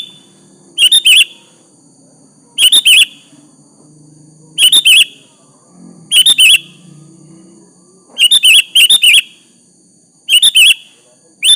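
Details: Lively sooty-headed bulbul song used to provoke a rival into replying: clusters of two or three rich, slurred whistles recurring about every two seconds, loud and clear over a soft low background hum.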